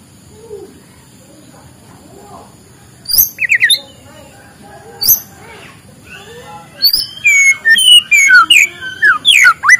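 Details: White-rumped shama heard in the morning, used to stimulate silent birds: scattered high whistles at first, building to a quick sequence of varied whistled and chattering notes toward the end.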